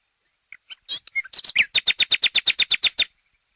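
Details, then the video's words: Common nightingale (Luscinia megarhynchos) singing a few scattered introductory notes, then building into a loud, evenly paced series of about fifteen repeated harsh chopping notes lasting around two seconds. "Canto Do Rouxinol"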